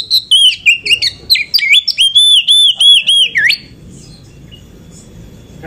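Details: Oriental magpie-robin song used as a lure to excite other magpie-robins, said to be from a female meant to provoke males into singing: rapid high whistled and warbled notes with slurred rising and falling phrases for about three seconds, then quiet.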